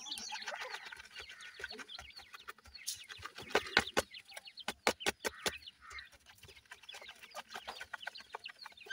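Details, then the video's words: Captive partridge chicks, kept with pheasant chicks in bird care, give a dense chorus of high, shrill peeping chirps over the first seconds, then scattered sharp clicks and tapping noises with softer peeps continuing underneath. "cute partridge babies"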